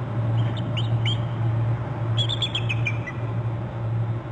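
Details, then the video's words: Eagle calling from its nest territory on Hornby Island, caught by a nest camera: two bursts of thin, high squeaky chirps stepping downward, set against a loud, constant low hum. "eagle calling on his and hers; eagle calling from upper left of bst"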